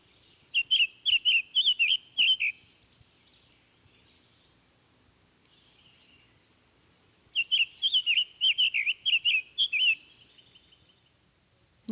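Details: Male Summer Tanager sings two bursts of short, sweet warbled phrases, each about two seconds long and separated by a pause. The song is softer and shorter than a robin's and lacks the Scarlet Tanager's raspy quality, with one or two slightly harsh phrases.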